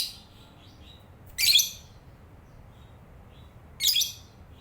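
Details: Morning chatter from a lovebird: a pair of loud, rasping shrieks roughly two and a half seconds apart, with faint high thin chirps in between over a quiet background.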